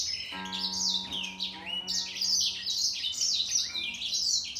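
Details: Grey singer finch in a singing contest with a green singer, caged birds: rapid high twittering song of buzzy descending trills and chirps, with a steady low humming tone underneath for the first two seconds.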